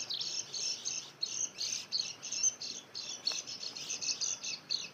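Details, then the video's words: White-eye song used to lure wild birds: rapid, high, thin twittering chirps repeated continuously, jittery and slightly buzzy, over a steady hiss of background noise. "mikat pleci"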